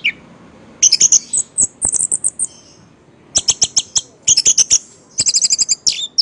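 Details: Orange-headed thrush (anis merah) singing energetically and 'playing', said to look drunk or dazed while it performs; high, sharp chips and rapid trilled bursts in short phrases separated by brief pauses.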